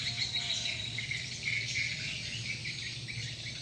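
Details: Calling sound for swiftlets: a busy wash of high, thin twittering notes running continuously, with quick sharp chirps layered on top and a low hum underneath.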